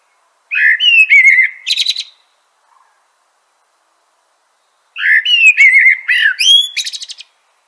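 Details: Common blackbird (Turdus merula) delivering two long song phrases about three seconds apart, each made of fluty, swooping whistles followed by a thin, rapid, chattering twitter at the end.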